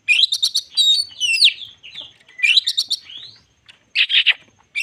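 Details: White-crowned shama singing to agitate other shamas: quick stuttered chips leading into swooping slurred whistles, repeated twice, then a harsh scratchy burst and a short silence.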